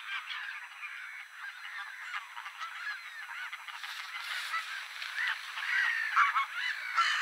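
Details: A colony of Mediterranean gulls (Larus melanocephalus) calling over one another on 23 March 2024 at Polders Poelgeest, the Netherlands; nasal, yelping cries overlap continuously and grow louder toward the end.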